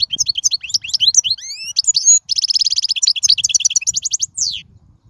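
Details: European goldfinch from the wild in full song: continuous rapid twittering, upward-sliding whistles, a dense trilled run of evenly repeated notes, and a closing downward-sweeping buzzy slur.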